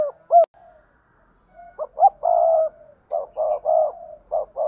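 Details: Spotted dove 'gáy thúc gù' and calling coos: clipped low hoots and longer, wavering coos in quick succession, with a sharp click near the start.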